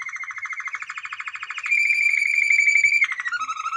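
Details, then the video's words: Singing male canary: a buzzy rolling trill gives way to a long, steady whistled tone, which drops into lower rolled notes. "Canario Cantado - Cantec de canar mascul"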